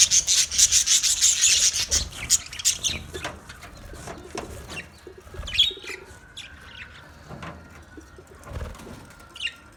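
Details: Budgerigar colony chirping: an intense burst of high, scratchy chatter at the start, thinning out into scattered single chirps and short twitters, with some faint lower rustles.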